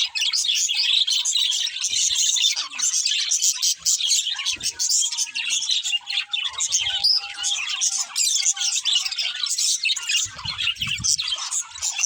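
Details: Chattering budgerigars, several birds warbling and twittering at once in a steady high stream, with a faint low rumble near the end.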